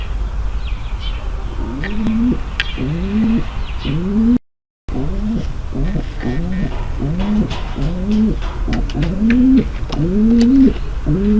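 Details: Female pigeon giving a mating call meant to prepare the male for mating: a steady series of low, drawn-out coos, each rising then levelling, about one per second, with a short break partway and faint clicks in the background.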